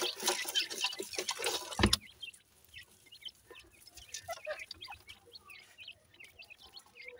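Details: A new pair of dakhni teetar francolin chicks gives scattered high, thin peeping chirps, many short notes overlapping, after a loud burst of broadband rustling noise in the first two seconds.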